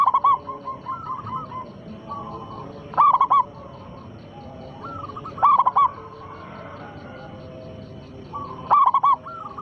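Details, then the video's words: Big-voiced local zebra dove sings as a lure to set rival doves singing; four loud, stuttering coo phrases spaced roughly every three seconds, with quieter dove coos filling the gaps. "perkutut lokal gacor suara besar pancingan sekali putar pasti langsung nyaut"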